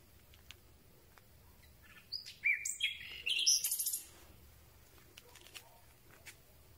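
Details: Common Nightingale at night, recorded close with a telescopic boom microphone: after quiet clicks, a varied phrase of sliding chirps builds into a fast, loud stuttering trill, then fades to faint background noise.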